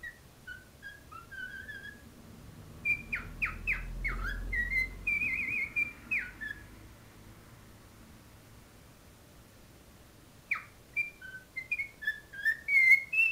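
A cockatiel sings a string of clear whistles, some rising and some sliding down, with brief pauses.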